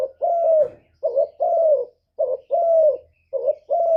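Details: Lure call from a decoy spotted dove, used to provoke wild doves. Three paired coos, each a short throaty note then a sustained mellow one, given at an even pace.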